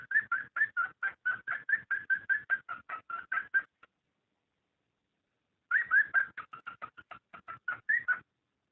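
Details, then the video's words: ['Cockatiel mating call, used to stimulate breeding: a rapid run of short chirping notes for about four seconds, a pause, then another burst of quick repeated chirps.'] "صوت تزاوج الكوكتيل لتحفيزها"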